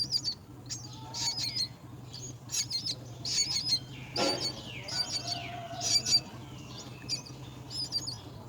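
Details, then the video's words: Mynas caring for their young at the nest: a busy run of short, harsh, high chirps and squeaky notes in repeated bursts, with a brief loud knock near the middle and a low steady hum beneath. "Birds take care of their young at the nest"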